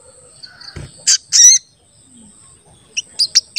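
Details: Crested jay calling to lure other crested jays into calling: short, piercing high notes, two strong bursts, then a quick series of sharp chips. A low thud sounds early on.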